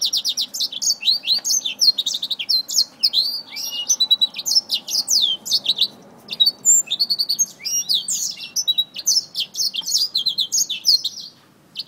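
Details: Black-throated finch fighting a finger, giving a dense, nonstop stream of high, sharp chirps and short downslurred notes, rapid and overlapping throughout with barely a pause, over a faint low room hum.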